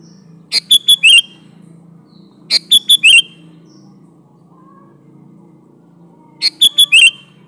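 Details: Sooty-headed bulbul singing a lively song with natural variations, intended to lure bulbuls: three repeats of a chirp, two pure whistled notes and a twisting slur, spaced about two to four seconds apart over a low steady hum.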